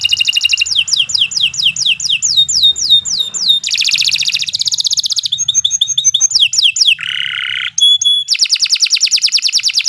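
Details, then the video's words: Canary singing a long master song for training young birds: fast trills shifting into falling whistled sweeps, buzzy rolls, a lower harsh burst, then a rapid high trill to the end. "Kicau Burung Kenari 114 II GACOR PANJANG Cocok untuk Masteran"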